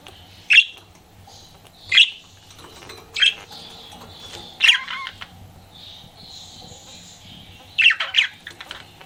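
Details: Pet budgerigar flirting: loud squawky chirps repeated roughly every second and a half, with soft warbling chatter and a faint whistle in between, ending in a double chirp.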